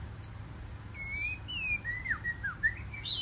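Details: Wild-caught white-rumped shama, forest-voice singing: brief soft phrase of thin, drawn-out whistles sliding down and up, with a sharp high note at the start, over a steady low rumble.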